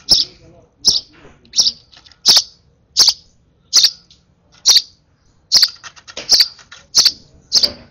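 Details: Over-excited sparrow nestling being hand-fed calls insistently with steady, piercing high chirps, about eleven in eight seconds, evenly spaced.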